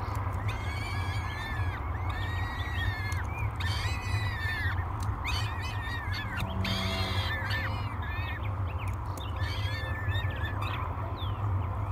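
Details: Begging by three hungry peregrine falcon chicks while being fed breakfast at Great Spirit Bluff, 24 May 2022, captured on a live cam: a long series of loud, grating, harmonic screams, roughly one per second, over a constant low drone.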